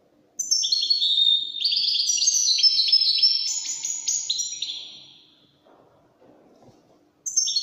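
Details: Widani song from a European goldfinch: a four-second cascade of bright, stepping twitters and trills that fades out, followed by quiet and the start of a new phrase.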